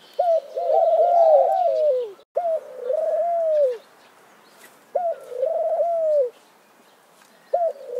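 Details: Mourning dove song: a steady series of low, mellow coos, each starting with a short upswept note and stretching into a long, slightly falling tone, repeated about every two to three seconds over quiet background.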